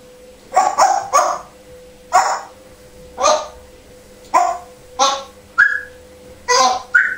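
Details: Captive African Grey Parrot in Devon, England, mimicking a barking dog, giving a run of gruff, rough bark-like notes in pairs and singles roughly every second, mixed with a few short clear whistles near the end.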